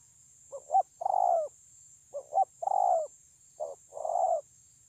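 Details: Spotted dove song from 9 June 2020: three repeated phrases, each a clipped two-part note leading into a longer, purring, falling coo, roughly one phrase per second and a half. A steady high hiss sounds in the background.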